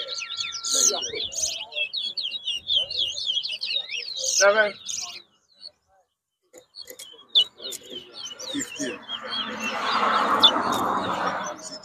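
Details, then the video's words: Caged Chestnut-bellied Seed-Finch, locally towa towa, singing in a whistling competition at Bath Settlement, Guyana, 2022: about five seconds of rapid, high warbled and twittering phrases, one loud burst midway, then crowd chatter and broad noise. "TOWA TOWA BIRD WHISTLING COMPETITION"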